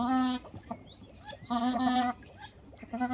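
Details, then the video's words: Two female white-winged ducks courting a male give loud, nasal, harmonic honks, each held about half a second, with three calls in quick succession separated by quieter pauses holding faint chirps. "Two white-winged duck females courting a male"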